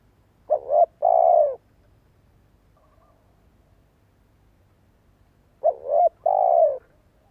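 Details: Spotted dove decoy cooing to prompt other birds to call. Two widely spaced phrases about five seconds apart, each a brief wavering double note and then a long, smooth, slightly falling coo. The background is quiet.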